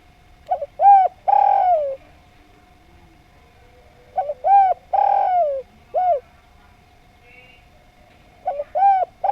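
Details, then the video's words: Spotted dove in clear, melodious song: repeated phrases of quick lead notes, a drawn-out falling coo and a clipped last note, separated by quiet gaps over a faint steady hum. "Derkuku Djawa Gacor Suara Nglaras, Paling Enak Didengarkan"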